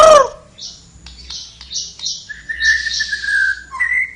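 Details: Flowerpecker singing vigorously: a loud swooping whistle starts, then a sustained, slightly wavering whistled note and a short twitter, amid soft hissing rustles.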